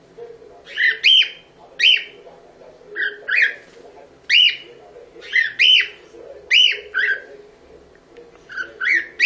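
A cockatiel repeats bright, warbling whistles in short bursts about every second.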